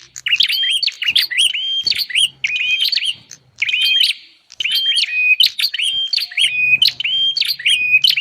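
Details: Bar-winged prinia lure calls intended to pull in wild prinias: dense, loud chirping phrases of quick flicked notes and brief held whistles, one short silence midway, faint low humming near the end.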